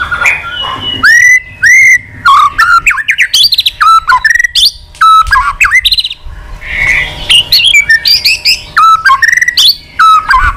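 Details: Wild-caught forest white-rumped shama singing in a contest style, tail wagging constantly: dense bursts of rich whistles, sharp clicks and rapid stacked chatter notes, varied phrases packed closely across the whole recording.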